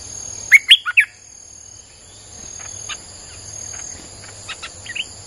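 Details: Streak-eared bulbul song used to lure wild birds: a loud phrase of three sharp, sliding whistled notes opens, followed by softer scattered chirps and faint insect hum over the rest of the recording.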